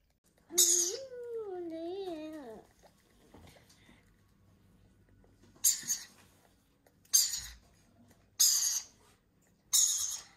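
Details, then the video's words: A loud rasping burst from young lorikeets being hand fed overlaps a wavering tonal whine. After a quiet pause, four more harsh rasps come spaced over the last five seconds. "Growing lorikeet Babies Hand feeding"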